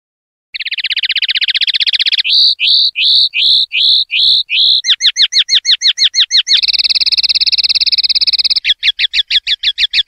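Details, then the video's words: Clean-style common linnet song for silvestrismo: a sustained buzzy trill, then slow repeated upward-hooked whistles about three per second, quicker chirps, and another long dense trill, all clean with no other sounds. "NUEVO CD PARDILLO LIMPIO 2025/2026"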